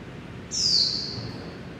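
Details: A single piercing, high-pitched note from a Japanese white-eye caught inside a building at Taipei Artist Village, Taiwan, gliding downward and fading into quiet room noise.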